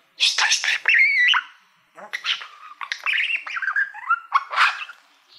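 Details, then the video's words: Pet male budgerigar that loves mirrors, singing to a shiny mirror-like plaque: a varied chattering warble of squeaky chirps, buzzy notes and short whistled slides, delivered in uneven bursts. "Budgie singing to Youtube Playbutton"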